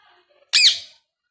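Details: One sharp, strident screech with a downward sweep from a new pet Indian ringneck parakeet, preceded by faint soft murmuring in a quiet indoor space.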